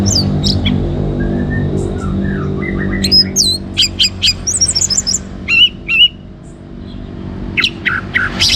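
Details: Orange-headed thrush song played to draw other birds into singing: soft low whistles give way to rapid, high, slurred notes and chirps in clusters, with a steady background hum.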